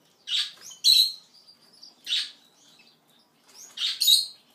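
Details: Blue Gouldian finch feeding and interacting: three bursts of sharp, high, buzzy chirps, each a quick double note, spaced about one and a half seconds apart in a quiet setting.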